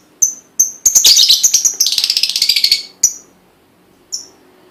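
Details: Lovebird lure song, called pancingan, played to prompt other lovebirds to sing: a few sharp high chirps lead into a long, fast, buzzy chattering trill, followed by single piercing chirps.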